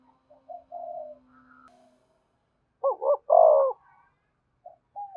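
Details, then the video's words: Luring coo of a spotted dove for drawing in wild doves: soft drawn-out coos first, then a loud, throaty double-pulsed coo ending in a long rough note, followed by brief faint coos. "Tiếng chim cu gáy thúc bổi, bổi nghe rất nhạy gáy và về cội nhanh"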